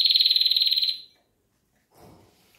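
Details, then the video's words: Pet canary: a one-second burst of very rapid, evenly pulsed high trill that fades out, followed by silence and a faint low rustle. "Il canto del canarino"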